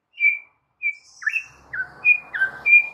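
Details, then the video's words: White-rumped shama song used as a lure for stressed birds: spaced clear whistled notes and short slurred phrases, with faint background rustle. "Murai Batu GACOR BONGKAR ISIAN , paling EFEKTIF untuk PANCINGAN Murai MACET & STRESS parah"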